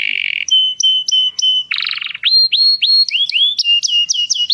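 A canary sings a rapid, varied song: a buzzy opening trill, steady whistled notes, a rattling burst, then quick rising chirps and sweeping whistles.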